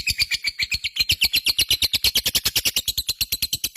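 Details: Lovebird ngekek chatter, the long 'koekk' rattle: loud, piercing, rapidly repeated notes, roughly eight per second, holding an even pace throughout.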